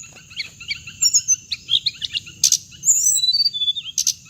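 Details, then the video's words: Lure playback of the hồng hạnh bird used in trapping; busy sequence of short chirps, sharp buzzy bursts and descending whistles, ending in quick repeated notes, over a steady shrill tone and faint rumble. "tiếng chim hồng hạnh âm thanh để bẫy loa"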